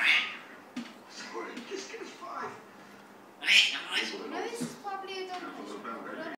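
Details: Talking African grey parrot kept as a pet, said to mimic words and a dog's bark; strained, speech-like syllables rise to a loud, harsh burst midway, followed by a run of shorter chattering sounds.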